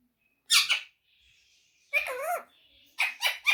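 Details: Pet rose-ringed parakeet that talks in Urdu and Hindi: three bursts of harsh, buzzy mimicked speech, the middle phrase wavering up and down, the last split into quick choppy syllables, separated by short quiet gaps indoors.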